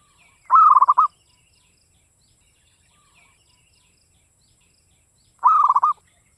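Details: Local Javanese zebra dove with a dry, crisp voice gives two short cooing phrases about five seconds apart, each a clear first note running into a rapid stutter of pulses; background otherwise quiet.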